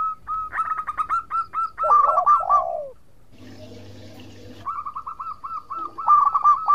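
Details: Lively local zebra dove song meant to provoke rival doves into replying: fast runs of short notes with falling rolled coos, interrupted midway by a patch of rustling noise before the notes resume.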